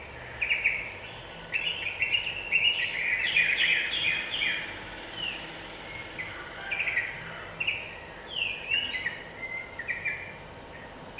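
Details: Yellow-vented bulbul song used as a lure to agitate other birds: short bubbly, chirpy phrases in bursts separated by brief pauses, over a steady background hiss and low rumble.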